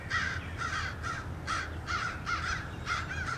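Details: Crows pursuing a male bald eagle at its nest, 30 March 2016: loud, regular-sounding raspy caws, about eight in three seconds, each short and harsh, over low background hum.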